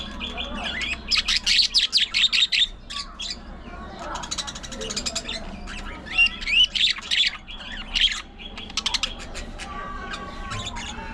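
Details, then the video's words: Several pet budgerigars bicker and chatter during play, fights and grooming: dense bursts of harsh, rapid squawks and buzzy trills, loud clusters alternating with quieter gaps, around two and a half notes per second. "Budgies Unfiltered! Love, Fights, Fun & Chatter All Day Long"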